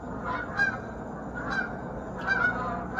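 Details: Sunrise over a lake in South Georgia as a flock of geese flies past. A few nasal honks, some doubled, about four in three seconds, over a constant low hum.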